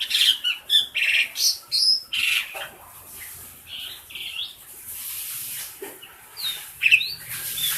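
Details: Tame pet black-collared starling, a noisy caged bird used to train others, giving quick squeaky chirps and scratchy notes, then a quieter hissing stretch and a few sharp slurred whistles near the end.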